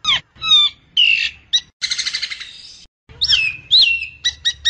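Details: A Nias hill myna gives loud, clear whistles that slide up and down, broken by a harsh, buzzy, pulsing burst and short sharp chips, used as a lure call to get other mynas singing.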